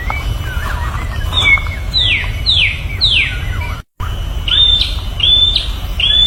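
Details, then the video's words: White-rumped shama singing in the wild, other birds answering: clear whistled notes that slide downward, repeated about every half second, then higher ringing whistles after a brief cut, over steady low rumble and background noise. "Murai Batu kicau dialam liar"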